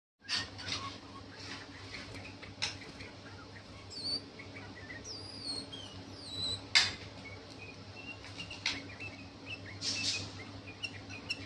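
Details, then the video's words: Mating call of a date bulbul: short, high whistled and sweeping notes with soft chirps, over a steady low hum and a few sharp clicks. "صوت تزاوج بلبل تمر"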